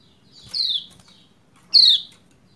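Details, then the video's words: Lombok white-eye female calling a male so he will sing quickly: two harsh, falling 'ciak' chirps about a second apart over a faint low background hum. "Ciak Ciak Pleci Lombok Betina Memanggil Jantan Supaya Cepat Gacor"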